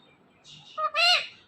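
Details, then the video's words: Talking pet ringneck parrot says a short word: a faint breathy hiss, a quick clipped syllable, then a loud harmonic syllable held for about a quarter second. The room is otherwise quiet. "My Talking Ringneck Parrot"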